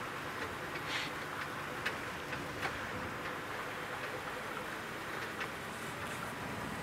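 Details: Rain pattering with scattered drop ticks over a steady background hiss, and no animal voice is heard.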